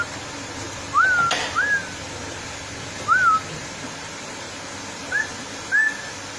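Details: Female straw-headed bulbul giving well-spaced clear whistles, each an upward slur easing into a short level tail, five notes across several seconds over quiet hiss.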